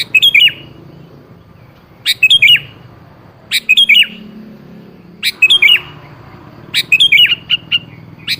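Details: Sooty-headed bulbul song used as a lure to make rarely singing birds answer: short bubbly phrases of three or four quick, slurred notes, each phrase followed by a pause, five phrases in about eight seconds.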